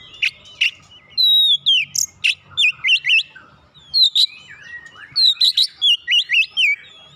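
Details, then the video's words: Oriental magpie-robin stimulated to sing, giving sharp chips followed by bursts of fast whistled loops and high sweeping notes in lively phrases. "merangsang Kacer malas bunyi langsung gacor"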